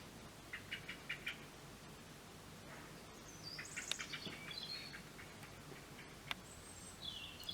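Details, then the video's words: Common starlings nesting on a house roof: parents feeding nearly fledged young, trading quiet chirps, then sliding high whistles and a rising whistle near the end, over soft background hiss. "You can hear the baby starlings and the parents all calling to each other."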